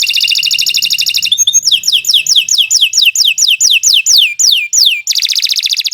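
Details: Loud canary song as a singing lure: a rapid pulsed trill, then about a dozen clear whistles each sweeping steeply downward, closing with another fast dense trill.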